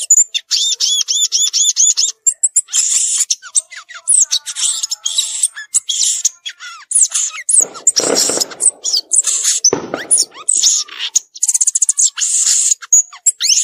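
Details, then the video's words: Violaceous euphonia singing in the wild: a long, rapid medley of high, thin chips, sweeping whistles and buzzy trills, opening with a run of ringing harmonic notes, broken by a few short rustling noises. "Gaturamo verdadeiro cantando na natureza"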